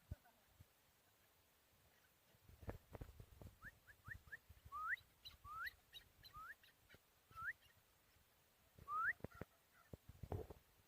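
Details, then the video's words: Four-year-old Chukar partridge reared from a chick in Tajikistan, 2021, builds from quick short chips into a series of louder rising slurred notes, roughly one every half second, with clicks and thumps around them. "Горная Куропатка Кеклик в Таджикистане 2021 Partridge Keklik Sesi"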